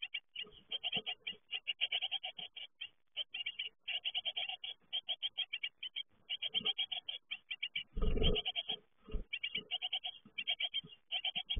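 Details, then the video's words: Young great tits leaving the nest give a steady stream of rapid, high, chattering chirps in dense runs with short gaps. Occasional low thumps of movement are heard, loudest near the middle. "Uitvliegen koolmeesjes"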